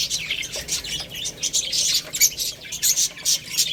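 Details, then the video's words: Baby chicks eating rice, giving dense, overlapping high-pitched chirps and peeps that run almost continuously and come in quick bursts from several birds at once. "Beautiful Little Chicks Chirping Sounds"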